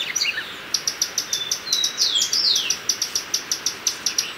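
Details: A Common tody-flycatcher (Todirostrum cinereum) gives a quick run of sharp, high ticking notes, about three per second, with a few sweeping whistled slurs mixed in.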